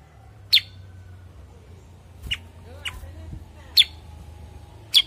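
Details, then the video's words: Cucak kurincang bulbul, also called kutilingang sutra or kuniran, giving five sharp, high chirps spaced irregularly over five seconds, some in close pairs, over a faint low hum. "kicau cucak kurincang"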